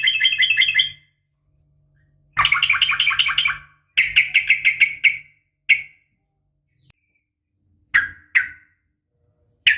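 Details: Female sooty-headed bulbul calling to males at morning: repeated bouts of fast, chattering bright notes separated by pauses, then scattered single sharp chirps, with a low steady hum beneath the louder passages.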